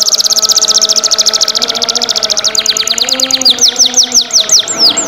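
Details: Vigorously singing black-red canary. A rapid, high, buzzy trill rolls on for over two seconds, then gives way to slower, separated sharp notes and downward-sliding whistles. Faint steady hum underneath.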